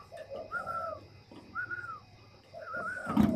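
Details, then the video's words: Moulting captive spotted dove from Ba Vì, Hanoi, keeps cooing: a few slow phrases mixing low hollow coos with a longer, smoothly arched higher note, ending in a sharp knock or bump. "cu gáy Đang thay lông mà vãn chiến tốt"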